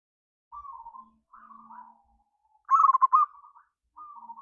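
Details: Local zebra dove singing a provoking song in the ngayer kerot nutut style, meant to stir other doves to sing: soft purring coos near one pitch, then one loud burst of rapid rolling pulses, then softer coos again.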